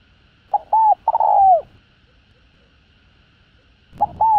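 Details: Cooing spotted dove, a calling-and-urging song meant to stimulate a decoy dove: a phrase of two brief coos and a long drawn note falling at the end, then a fresh phrase beginning after a long silence.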